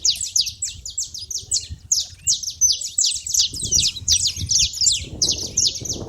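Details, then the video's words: Saffron finches at a feeder give a rapid, fairly even series of high, sharp, downslurred chirps, overlapping into a lively chatter, with some soft low background noise in the later seconds. "canário da terra fazendo barulho na seva"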